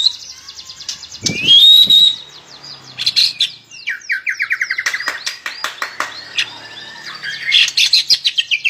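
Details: White-rumped shama song: a long clear rising whistle, then a varied run of quick sharp chips, sweeping slurred notes and rapid repeated clicks at a steady pace, ending in a bright trill, in a quiet setting.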